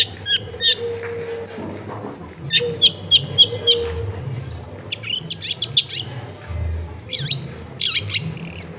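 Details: Long-tailed shrike lure song from a crowded residential setting: a quick series of evenly repeated sharp chirps, then varied twittering and downslurred whistles, with low hum and household noise underneath.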